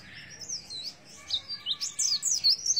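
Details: Oriental white-eye 'nembak isian' song: softer high twittering that builds into louder, rapid sliding chirps toward the end.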